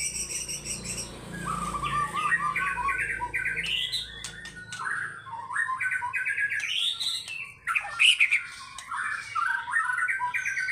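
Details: White-rumped shama singing its fighter-style repertoire: long chains of quick trilled notes that step up and down in pitch, broken by a sharp high note, with a faint low hum early on.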